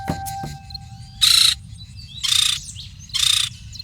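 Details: Red-crowned Woodpecker at a nest with two chicks in open tropical Colombian landscape gives three harsh, raspy churring notes, each about a third of a second, roughly one per second, over a low background hum.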